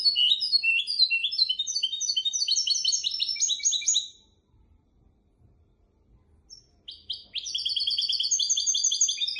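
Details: Goldfinch and canary hybrid singing a tutor song meant for teaching goldfinches and canaries: fast, bright, twittering trills of rapid repeated notes. The song runs about four seconds, pauses, then resumes with dense, high, rolling phrases.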